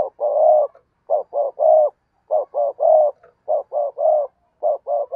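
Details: Caged decoy spotted dove cooing steadily to lure wild birds: loud, low, hollow coos in quick groups of two or three, short notes followed by a longer one, repeated about every second.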